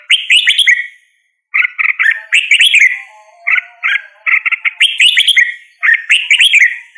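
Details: Red-whiskered bulbul singing repeated bright, chattering phrases of rapid whistled notes, several clusters in quick succession after a brief silence.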